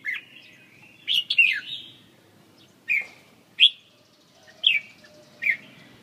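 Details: Red-whiskered bulbul (chào mào) singing short, loud whistled phrases, rich and slurred, delivered in separate bursts about every second with brief pauses between; background otherwise quiet.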